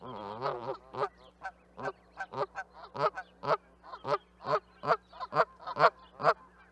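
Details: Canada goose honking steadily, a drawn-out opening call followed by a regular series of short, loud nasal honks about two per second, with a faint low hum behind.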